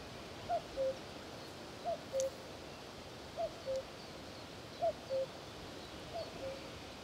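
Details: A Common Cuckoo in sub-Saharan Africa, where this nest parasite spends time, repeats its two-note "cu-coo", a higher note dropping to a lower one. It calls five times at roughly 1.5-second intervals over faint background hiss.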